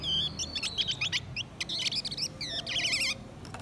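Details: Blue-winged minla pair, male and female, singing to lure and excite wild birds: a dense run of quick high chirps, sharp ticks and wavering trilled notes, the phrases tumbling together without pause.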